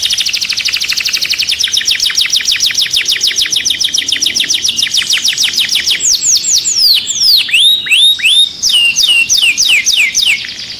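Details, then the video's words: Canary song intended to stimulate birds for mating. Long fast trill of rapid repeated notes for several seconds, followed by louder separate curling whistles and downward slurs, with a brief pause near the end. "تغريد الكناري لتنشيط الطيور Canto canario para activar pájaros"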